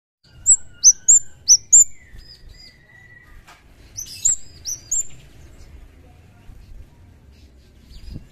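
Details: Javan kemade (cigen) singing energetically as if in the wild: a run of five sharp, high downslurred chirps, a lower drawn-out whistle, then another burst of bright chirps, with a faint low rumble beneath.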